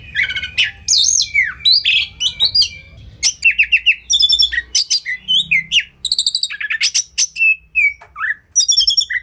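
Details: Oriental magpie-robin, kacer, champion masteran with tembakan fills: fast rattling trills, whistled slurs and chattering runs delivered in dense, varied phrases with only short gaps.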